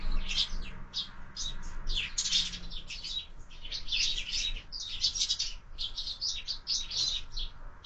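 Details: Sparrows gathered at a window-mounted feeder for breakfast, fed year-round; loud, continuous chorus of rapid overlapping chirps from several birds, almost without pause.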